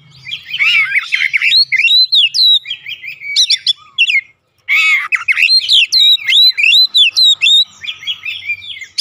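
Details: Oriental magpie-robin (kacer) in loud, fluent 'ngeplong gacor' song, meant to provoke birds kept at home into answering: rapid varied whistled notes, sweeping slurs and chattering phrases, brief pause near four seconds, then more bright rising and falling whistles.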